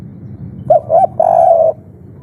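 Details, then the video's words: Agitated spotted dove of the 'kuk 3' style, a lure call meant to make other doves reply: two quick short coos followed by one long, slightly wavering, level coo, over a faint low rumble. "Suara asli tekukur kuk 3 ngamuk - raja pancingan langsung nyaut"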